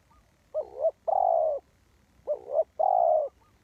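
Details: Spotted dove used to lure wild birds into traps, two clean coo phrases, each a dipping two-note opening and a prolonged smooth low note, in a quiet setting.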